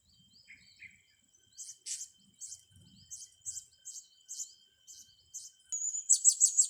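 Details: Blue-crowned hanging parrot, part of training young birds: faint squeaks, then evenly spaced shrill high chirps about three per second, ending in a sustained high whistle and a loud rapid burst of piercing notes.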